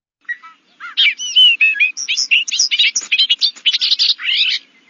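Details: A Bobolink gives its bubbling, tumbling, robot-like song from a wet meadow: a rapid jumble of metallic, electronic-sounding notes bouncing up and down in pitch.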